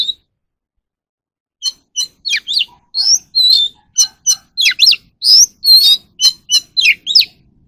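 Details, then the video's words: Oriental magpie-robin song used for voice training of captive birds: after a short pause, a rapid run of varied clear whistles, sweeping slurs and sharp chips follows at about two notes per second in a quiet setting. "kacer alam | choè than luyện giọng || Choè than kích bổi ra giọng เสียงนกกางเขนบ้าน"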